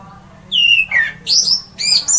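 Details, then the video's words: Loud orange-headed thrush song that makes other birds join in: a clear whistle sliding down, a lower downslurred note, then rapid high twisting phrases in quick succession over a faint hum. "semua jenis burung pasti emosi dan ikut GACOR! mendengar ngeplong keras anis merah ini"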